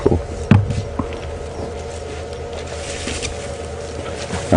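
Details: Rumbling vehicle noise with a steady hum and occasional bumps and knocks, without any animal sounds.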